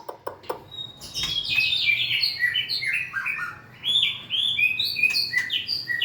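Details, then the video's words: White-rumped shama singing a fast, fluent song of many short whistled notes rising and falling, preceded by a few sharp clicks, with a continuous, lively flow. "Big Sound Birds Singing Chirping, Dancing And Beautiful Tails Wagging - Birds White-rumped shama"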